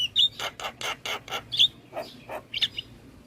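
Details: Short burst of Javan myna song from a recording made to train other mynas: a squeaky whistle, then several harsh, broad rasping notes in quick succession, ending with a high chirp.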